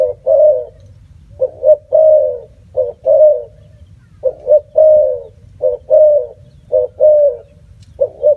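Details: Repeated cooing of a spotted dove: phrases of two or three short notes ending in a longer hooted note, about every one to two seconds, over a low steady hum.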